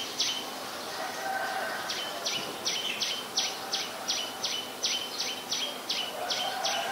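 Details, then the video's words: Common Tailorbird, an adult of a common resident population, recorded on 2 March 2023 in Ubon Ratchathani, Thailand: sharp, high, clipped notes repeated briskly, roughly three per second, over a steady background hiss. "นกกระจิบธรรมดา (Common Tailorbird)"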